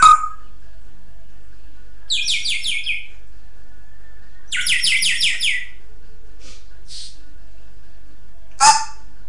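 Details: Pet African grey parrot indoors, producing two quick runs of high, squeaky, stacked chirps, a fainter pair of soft notes, then a brief sharp squawk near the end, with room quiet between sounds.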